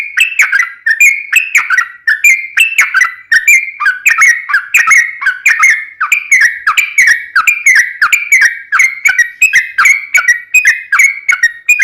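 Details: Sooty-headed bulbul, trucukan, in sustained gacor ropel song: an unbroken series of liquid, bubbly whistled notes, roughly two per second, rising and falling slightly.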